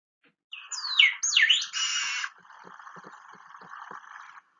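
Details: Long-tailed meadowlark (loica) song from central Chile, played back and described as a trill unlike the rara's: two loud swooping whistled notes followed by a harsh buzzy stretch, then a fainter, lower, drawn-out rasp.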